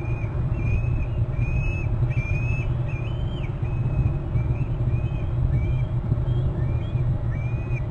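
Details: An eagle calls from its nest tree in its territory on Hornby Island, April, giving thin, high whistled notes, short and slurred, about every half second over a heavy low rumble like traffic or wind, before flying off.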